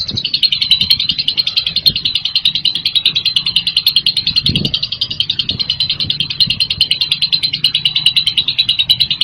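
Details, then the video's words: Loud lovebird song as an unbroken stream of rapid, high chattering chirps over a faint low hum, with a brief soft thump near the middle. "KICAU LOVEBIRD MANTAP KERAS"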